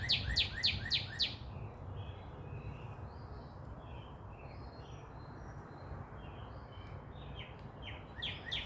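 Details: Sunrise in Dallas, Texas with birds chirping: a quick burst of repeated downward-sweeping chirps, then softer scattered high calls from other birds, with rapid chirps returning at the end over low traffic-like rumble.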